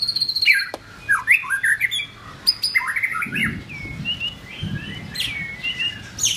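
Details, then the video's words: White-rumped shama in form building, giving a rich, varied song of whistled phrases, rising and falling slurs and sharp clicks, delivered in rapid bursts with brief pauses; faint low rustling beneath. "White Rumped shama- form building"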